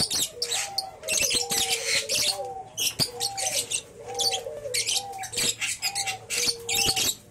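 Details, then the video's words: Young lovebird, three months old, a chick from a champion line: dense bursts of harsh, high chattering and shrill chirps come in quick runs. A steady, lower whistled tone rises and falls beneath them. "Burung love Bird Umur 3Bulan Durasi Panjang"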